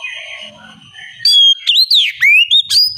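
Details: Bait song of a strongly singing oriental magpie-robin, meant to make other magpie-robins answer: faint background sounds at first, then loud clear whistles, swooping slurs and sharp upward notes in short bursts.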